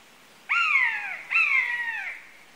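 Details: Two buzzard calls in quick succession, each a harsh, drawn-out mew that slides downward in pitch and fades out, with no other sounds.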